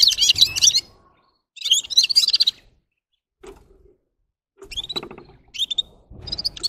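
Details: Gulsir, or red-fronted serin, singing in separate short phrases of high, buzzy, warbled twitters, each under a second long, with silent gaps and a soft low knock between them.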